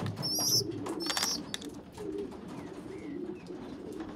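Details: Pigeon youngsters during feeding, where a small weak young pigeon feeds stronger ones. High wavering squeaks come in the first second and a half, then soft low cooing murmurs and faint short whistles.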